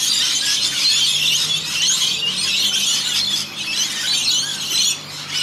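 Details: Noisy flock of about a hundred rainbow lorikeets having quick baths in a rain gutter in Australia. Piercing, chattering screeches overlap throughout and ease off briefly near the end, with a low steady hum behind.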